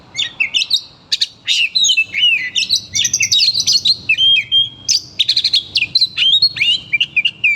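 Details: An oriental magpie-robin, angered at hearing its name called, pours out a long varied stream of shrill whistles, rattling note bursts and buzzy slurs with brief pauses.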